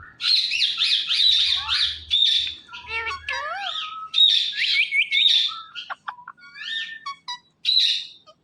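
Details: Indian ringneck parakeet in a long run of warbling, wavering squawky chatter, with quick notes sliding up and down and a few sharp clicks near the end.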